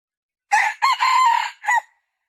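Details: A female red junglefowl gives one hoarse, three-part call. A brief first burst and a drawn-out steady middle section are followed by a short, abruptly cut final syllable. No other sounds are present.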